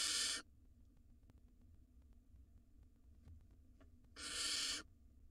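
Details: Pair of wild barn owl nestlings in a nest box swallowing rodents; one short harsh hiss at the start and another about four seconds later, quiet hum between.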